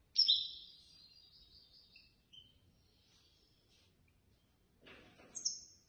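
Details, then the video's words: European goldfinch, third-place winner at a bird lovers' association contest in Casablanca: a sharp high phrase followed by softer repeated liquid notes, a short pause, then a burst of noise and another high thin note. "الحسون الفائز بالرتبة الثالثة في المسابقة التي نظمت من طرف الجمعية البيضاوية لمحبي الطيور"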